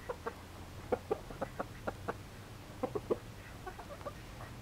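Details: Yamato Gunkei chicken during its everyday routine, giving short, low clucks in irregular clusters of two or three, about a dozen in all, with faint tapping in between.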